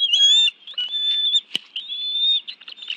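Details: During an afternoon fish meal on 11 June 2017 at the National Arboretum nest in Washington, D.C., bald eagles, two adults and two young, give a steady thin high whistle in drawn-out notes, with one sharp click midway.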